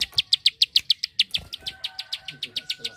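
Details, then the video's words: Loud, evenly spaced high clicks from a Bar-winged prinia, about seven per second, a rapid-fire tutor song for competition birds; a thin steady whistle and low knocks are heard behind. "Prenjak Klik Gacor Tembakan rapat"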